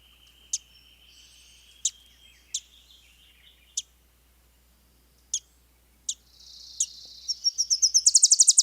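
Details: Wilson's warbler (Cardellina pusilla) song: a few sharp, scattered chips, then a rapid chattering run of high notes starting softer and building to a crescendo, over a faint steady high hiss.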